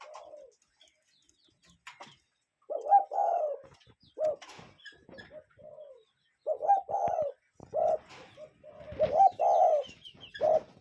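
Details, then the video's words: Cuckoo in natural surroundings: low hooting notes begin after a quiet opening, then come in paired and clustered phrases, with some faint clicks and chirps. "Relaxing Cuckoo Bird Sound in Nature"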